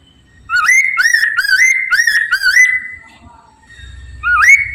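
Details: Chinese Hwamei song played as a lure to prompt other hwameis to answer: a run of five loud, rich, upward-hooked whistled phrases in quick succession, a softer, lower warble, then another rising whistle.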